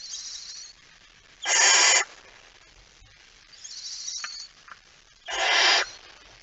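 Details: Barn owls at night on 17 September 2019 as the male brings in a mouse: softer, high rasping hisses alternate with two loud, broad screeching hisses, about four seconds apart.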